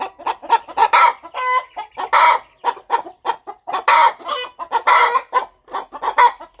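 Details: Farm mother hen settling over her nest ahead of hatching. She gives almost continuous soft-to-loud clucking in quick succession, with one brief buzzy drawn note early on.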